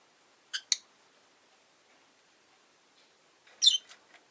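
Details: Two quick, raspy, high chirps in close succession from Rosy-faced lovebirds caged by a window, five birds in all, on an easygoing afternoon, then a pause and a jumbled burst of overlapping scratchy notes.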